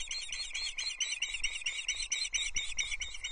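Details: Osprey chicks at a nest at Loch Arkaig, 20 June 2024, as the adult male delivers a small trout that they share without squabbling. Rapid, high, squawky chirps repeated over two per second with slight wind rumble.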